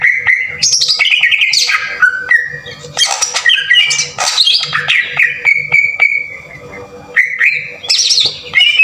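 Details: Green leafbird singing a harsh lure song to stir other leafbirds: dense mix of squawky, scratchy phrases and sustained whistles, with a long level whistle near the middle, followed by more chattering bursts and high rising notes.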